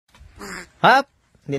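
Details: Smart crow talking, mimicking human speech: three short, voiced, speech-like syllables within under two seconds, the middle one loudest, harsh and rich in harmonics, the others softer, with near silence between.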